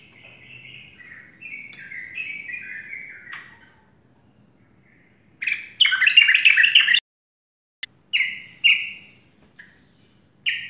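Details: Several separate morning phrases from a sooty-headed bulbul: a descending chatter of notes, then a loud, rapid burst of harsh chirps, followed by short, clear whistled notes with pauses between them.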